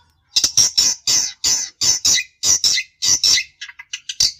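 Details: Long-tailed shrike (cendet) used to rile a rival: loud rasping paired squawks in quick succession, high and scratchy, ending with shorter softer chirps.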